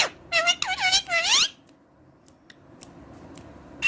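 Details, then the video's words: Parrot talking in a quick run of four wavering harmonic calls that sweep up and down, like voiced syllables, then a quiet stretch with faint clicks and a squawk at the end. "parrot talking sweet and clearaly"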